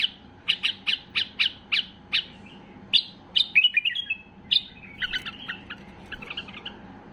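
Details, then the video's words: Highly excited white-eared bulbul singing to prompt other bulbuls to sing: a rapid series of about eight sharp, evenly spaced chirps, then more varied warbling, slurred and rolling phrases continuing to the end, with a steady faint hum behind. "اقوى تغريد بلبل بصراوي لفتح البلابل القافلة"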